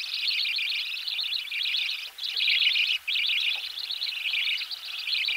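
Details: Budgerigar chicks being fed in the nest, close up: a continuous raspy, wavering chatter with only brief breaks, with a faint knocking noise in the background.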